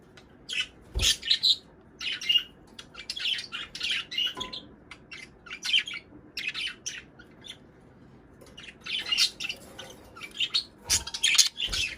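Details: Budgerigar chatter used to encourage breeding, with scattered scratchy chirps and warbles in irregular bursts, a couple of low knocks, and quieter pauses between groups.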